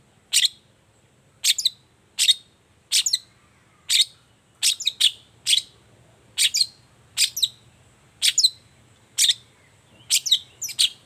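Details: Morning song of a long-tailed shrike, played as a lure to prompt other shrikes into answering; sharp, high, clipped notes, sometimes doubled, sounded roughly once a second in an uneven series over a quiet background.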